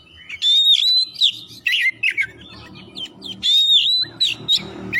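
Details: Oriental magpie-robin (kacer) singing energetically, meant to coax other magpie-robins into song. Two bursts of sweet whistled phrases mix with fast scratchy chattering, over a faint low hum.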